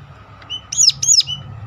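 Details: Ciblek gunung (Sunda warbler) giving a sharp call used to lure other birds into singing: two quick high, arched, metallic notes close together, with faint low hum beneath.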